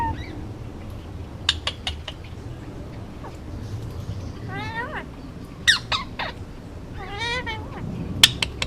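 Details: Hand-raised male Indian ringneck parakeet, nearly two, kept on Oahu, Hawaii, talking and making noises: sharp clicks and squawks alternating with wavering, buzzy harmonic calls over steady indoor background hum.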